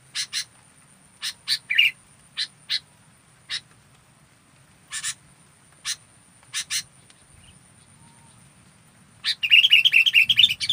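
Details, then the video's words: Fully active local sooty-headed bulbul gives spaced rasping chips, then breaks into a dense run of jumbled whistled notes near the end. "Masteran Burung Kutilang Lokal Full Aktif"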